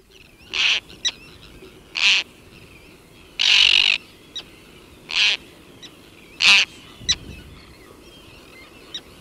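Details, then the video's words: A single Roseate tern calling in flight at close range, with an Arctic tern colony in the distance: harsh, raspy, high-pitched grating calls every one to two seconds with short clicks between, and faint colony chatter behind. "Roseate Tern. Calls CU From A Single Bird In Flight"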